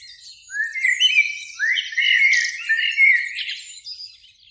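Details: Two blackbirds singing in a spring beech tree near a lake at sunset; one gives a continuous liquid warble of swooping whistles mixed with scratchy high notes, fading at the end.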